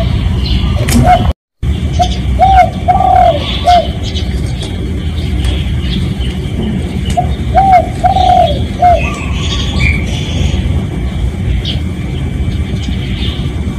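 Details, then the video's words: Spotted dove call meant to attract other doves, real recording: two cooing sequences of several soft notes, one longer slurred coo in each, separated by a pause, with low background rumble and a brief dropout. "เสียงนกเขาใหญ่ เสียงจริง ถ่ายจิง เอามาให้ฟังกันยาวๆ เสียงเป็นเสียงต่อ รับส่งได้เลย"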